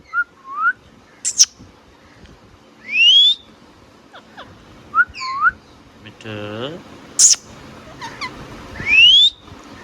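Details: Indian ringneck parakeet kept as a pet, mixing brief looping whistles, high scratchy chirps and upward-sweeping whistled notes, with a short low buzzy speech-like sound midway and quiet indoor background.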